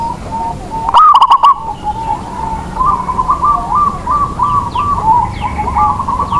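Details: Zebra dove, local Indonesian bird used to coax quiet doves to sing: a single loud, clipped phrase of quick coo notes, then other doves answering with a steady run of softer, bubbling, wavering coos.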